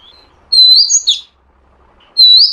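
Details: Call of a female Oriental magpie-robin, used to provoke a male to sing: a loud, clear whistled phrase with bending high notes, a pause, then a rising whistle.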